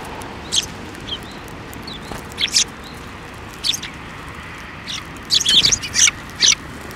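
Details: Several sparrows at a Tenmangu shrine, 15 December 2023, landing on a hand to be fed. Scattered sharp high chirps come singly at first, then a quick burst of three or four near the end, above a faint low hum.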